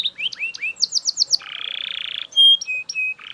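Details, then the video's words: A loud Belgian canary runs through upward-curving notes, a quick string of sweeps, a long rapid buzzing trill and clear whistled notes. "Super Loud Belgian Canary Singing"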